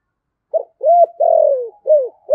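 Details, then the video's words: 'Giọng thổ' style cooing from a decoy spotted dove: a short note, a rounded coo, a long rough note dropping in pitch, then a further coo, with the phrase cut off at the end. "Chim Cu Mồi - cu gay giong tho cuc dinh gay goi"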